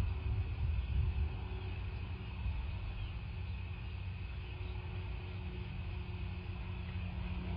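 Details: A steady low rumble at a bald eagle nest continues throughout, with no animal sound heard.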